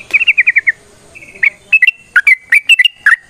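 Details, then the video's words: Yellow-vented bulbul in 'gacor ropel' fighting song used as a lure: a quick run of six rolling whistled notes, a short pause, then a string of bright, liquid chirps in pairs and singles. "TRUCUKAN GACOR TARUNG ROPEL PANJANG"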